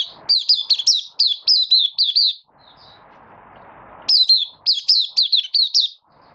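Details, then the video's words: Caged Malaysian Oriental white-eye in minor moult, building form, singing in the Buka Sing style, August 2023: two bursts of high, rapid, thin twittering notes, each swooping down, separated by a quiet pause with faint background hum. "Malaysian Mata Puteh Buka Sing"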